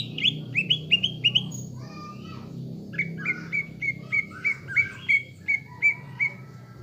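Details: Caged greater green leafbird singing a lure song meant to rouse a fighting mood: a run of sharp upslurred whistled notes, then a steady series of clear rising whistles about every third of a second, with low background hum.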